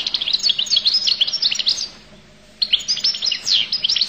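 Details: Goldfinch of Collo in fast, tinkling, high song of short chirps and slurred notes, one continuous burst, a brief silence, then more rapid twittering; low background hum.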